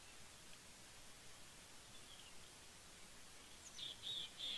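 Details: Mountain Chickadee visiting a bald eagle nest at Big Bear Lake, California, on 18 September 2019 gives a quick burst of three or four thin, high notes near the end, over a steady hiss of wind.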